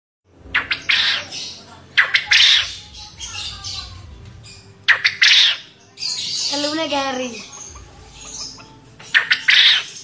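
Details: Caged male contest quail repeating its ceketer call four times over ten seconds, each a burst of short rasping clicks ending in a harsh buzzy note, with a wavering tonal sound mid-way and quiet room noise.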